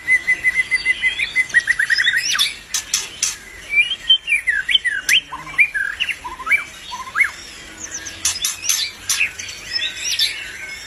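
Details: Albino white-rumped shama singing vigorously: a fast run of evenly repeated high notes opens, then sharp clicks and swooping whistled phrases rising and falling, with another burst of clicking and chatter near the end.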